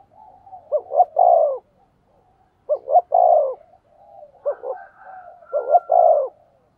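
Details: Decoy spotted dove cooing to pull in wild doves, three phrases of short paired notes and a long falling coo, overlapped by a quieter second dove answering in the background.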